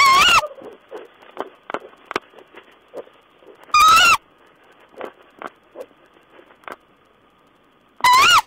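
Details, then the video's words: Owl, 14 April 2010: three loud, harsh, rising screeches roughly four seconds apart, with many soft, scattered clicks and short muffled noises in between. "Owl's talk"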